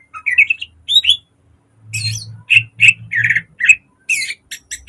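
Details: Green leafbird in a cage delivering a lure and model song for training: fluttering whistled phrases, then harsh buzzy bursts and sharp ringing notes in quick succession, with low thumping noise underneath.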